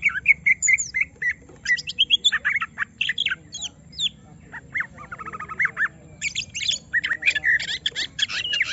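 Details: Greater green leafbird, a kept bird provoked to show its full song: varied rapid chirps, slurred whistles and buzzy trills in dense bursts, with a brief rattling series mid-way.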